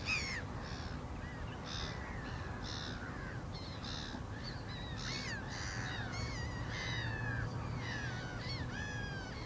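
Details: Several black-winged stilts calling at once: a continuous stream of nasal, slurred yelps, some rising and some falling, packed closely together over a constant low background roar.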